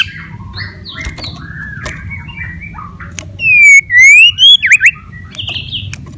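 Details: White-rumped shama fighter song for stirring up other shamas: quiet warbling, then a loud rising whistled glide and quick looping notes, with faint chirps around.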